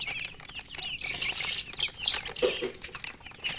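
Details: Chicks peeping loudly and close, with high chirps that overlap, along with bursts of fluttering and scuffling, and one lower call just after the midpoint.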